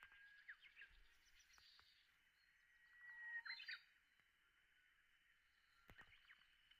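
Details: Japanese bush warbler song in the morning sun at the Hoshitoge rice terraces: a held whistle that ends in a sharp, quick flourish midway through, with scattered faint chirps and a steady high-pitched hum behind.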